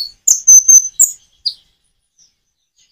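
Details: Common iora song recorded with natural pauses to prompt other birds to sing: a few sharp high chirps and a short slurred whistle, followed by a long silent gap and one last chirp.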